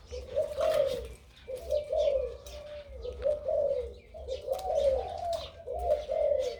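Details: Big-voiced crossbred dove in kharam style with 2-3 'kuk' notes: five or six rounded, warbling coo phrases roughly a second apart, with brief gaps between them. Scattered small bird chirps sound faintly in the background.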